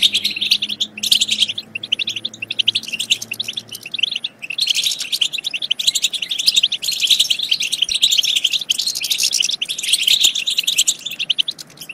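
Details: Goldfinch song intended to stimulate goldfinches to sing and mate. Fast, rattling twitters and chirps run steadily, with a low droning hum beneath during the first four seconds.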